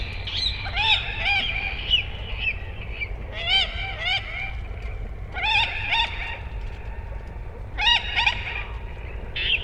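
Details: Common moorhen calling in clustered bursts of sharp, upswept harmonic notes, groups spaced about every one to two seconds, with a steady low rumble underneath.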